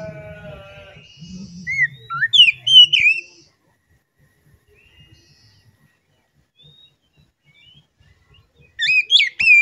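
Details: Oriental magpie-robin lure song for stressed or silent caged birds: a few whistled, sliding phrases over low rumble, then several seconds of near silence, then a sudden bright burst of whistles at the end.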